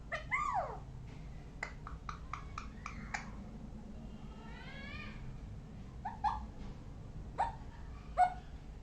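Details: Parrot making assorted sounds: a falling harmonic call, a string of dry clicks, a wavering rising-and-falling nasal tone, then short squeaky chirps, with a constant low hum behind.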